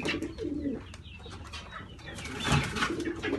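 Bukhara pigeons give low, rolling coos in short bursts, with wing flutters and shuffling in an enclosed space.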